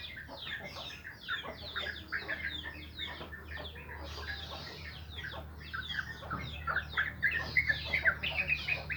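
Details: Morning chorus of sooty-headed bulbuls: continuous jumble of fast, slurred chirps and bubbling phrases from several birds at once, swelling louder near the end, with a steady low hum underneath.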